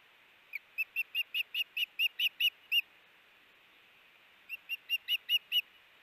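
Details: Osprey at the Hellgate nest on the day a chick fledged, 7 am MDT, August 5, 2018: a run of about ten sharp, whistled chirps, evenly spaced and rising slightly in loudness, then a pause and a shorter run of six.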